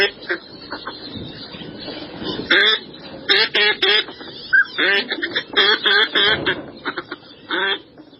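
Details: Live northern pintail recording for duck identification: loud, harsh, nasal quacks in uneven runs, some doubled or tripled in quick succession, separated by brief pauses, with one short clear whistled note mid-sequence.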